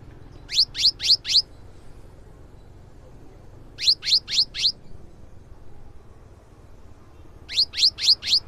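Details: Cinereous tit singing vigorously, used as a lure to get other birds singing: bursts of four quick descending whistled notes, repeated roughly every three seconds over faint background noise.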